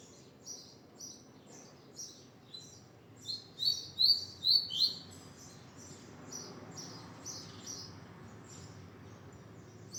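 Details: Double-collared seedeater singing: a steady series of short, high, thin chirped notes, swelling midway into a louder run of four clear slurred notes, then fading back to soft repeated chirps over a low background hum.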